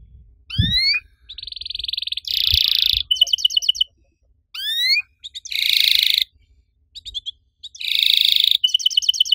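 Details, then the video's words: Canary singing in the active 'riwik' style used to trigger other canaries: rising swept whistles, short high trills and loud buzzy rolls, delivered in broken phrases separated by brief silences. "DIJAMIN KENARI LAIN LANGSUNG IKUT BUNYI. KENARI RIWIK AKTIF, CUIT CUIT NEMBAK PANJANG!!"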